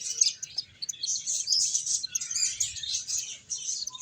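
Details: Busy finches chattering while feeding and playing, sharp high chirps crowding together in fast uneven bursts, with a quiet background.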